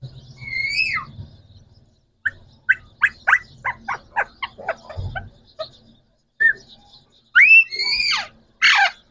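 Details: Green Pakistani talking parrots, three birds: a wavering rising-and-falling cry, then a quick series of short sharp notes, ending with loud screeching calls.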